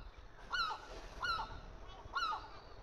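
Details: Three separate squealing cries from gull young being fed by a parent, each a sharp descending note with a short tail, spaced under a second apart over quiet background.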